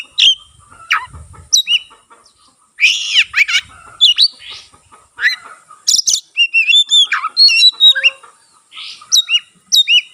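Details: Oriental magpie-robin with open tail singing steadily, the song said to rouse other magpie-robins; varied whistles, downward sweeps and scratchy bursts, growing denser in the second half.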